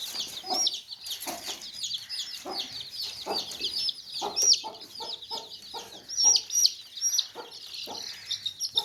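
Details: Baby chicks in a basket chirp continuously in a crowded chorus of shrill peeps, while low, short hen clucks break in at intervals.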